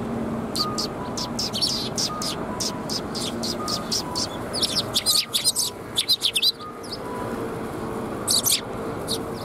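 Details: Sparrows gathering on red plum blossoms at a Tenmangu shrine in Japan, 4 March 2021, giving rapid, high, sharp chirps in dense overlapping bursts, some in quick runs, over a steady low background hum.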